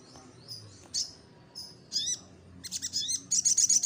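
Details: Lure recording of a little spiderhunter (sogok ontong) in lively song: scattered high, thin chirps and short swept notes, building into a rapid run of sharp, shrill chips near the end.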